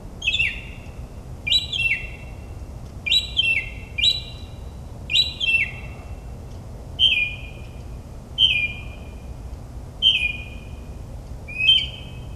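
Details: Night-singing northern mockingbird in New Jersey suburbs, a mimic of many species: a sharp, downslurred whistled phrase repeated about every one and a half seconds, the later repeats cleaner and thinner, over a faint low rumble.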